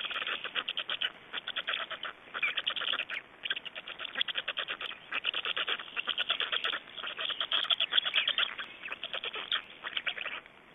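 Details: Feeding at an Estonian black stork nest, 26 May 2012, brings a long, insistent stream of harsh chattering pulses in grouped bursts, barely breaking over eleven seconds.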